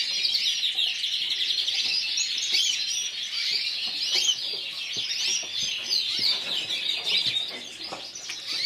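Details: Yellow frosted lipochrome canary, individual runner-up at a 2014 singing competition in Burgos, delivers a continuous high, bright song of rapid warbled trills and chirps without pause.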